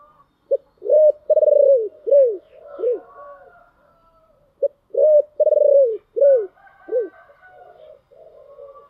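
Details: Two full giọng thổ phrases from a spotted dove, about four seconds apart. Each has a short note, a pulsing long coo and arched falling coos, with soft higher tones between the phrases.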